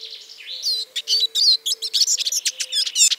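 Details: Eurasian siskin, Spinus spinus, singing a hurried twittering phrase of high chirps, wheezy slurs and short trills that crowd together and build in loudness, with a soft low hum in the background.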